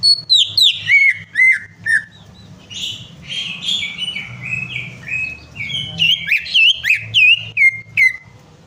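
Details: Greater green leafbird singing, played to spur a silent bird into song: rapid sharp whistled notes tumbling downward, a softer warbling stretch in the middle, then another loud descending whistled run, over a constant low hum.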